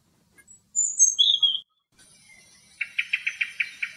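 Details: Thrush in the Greek countryside, recorded locally. Short, very high whistled notes come first, then a lower slurred whistle. After a gap, a rapid series of seven dry chattering pulses follows, with a faint high hiss behind.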